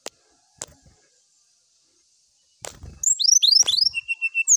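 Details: Brown-chested jungle flycatcher singing to seek a rival: sharp clicks and knocks at first, then a rapid burst of high, slurred whistles sweeping up and down, followed by a run of short, evenly spaced whistled notes.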